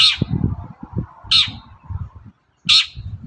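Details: Long-tailed shrike, morning lure for other shrikes: three strident rasping squawks about 1.4 seconds apart, each short and scratchy, with a low rumble between them.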